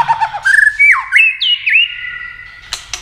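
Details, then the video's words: Tail-flicking white-rumped shama singing in a clicking contest style meant to fire up other birds: low warbles rising into looping whistled notes, ending with two loud clicks. "Chòe lửa tạch đập đuôi kích thích lửa lên lửa rất nhanh kích chim hót đấu hiệu quả"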